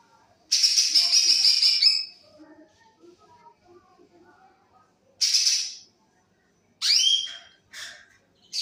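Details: Cucak ijo, or green leafbird, singing tembakan isian: a long, dense, buzzy high trill, then short sharp bursts after pauses, one with swift downward-sweeping whistles. Faint low murmurs fill the gaps between phrases.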